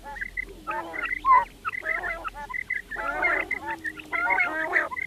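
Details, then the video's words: Several fat quails chatter together very clearly in harsh, nasal, overlapping bursts about once a second, with short high whistled notes slipped between them. "The sound of fat quails is very clear موٹا بٹیروں کی آواز بہت صاف آواز"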